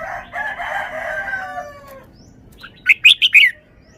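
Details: Red-whiskered bulbul kept as a cage bird, singing its valued phrasing: a drawn-out harmonic sound for the first two seconds, then four rapid loud whistled notes, rising and falling, at the end.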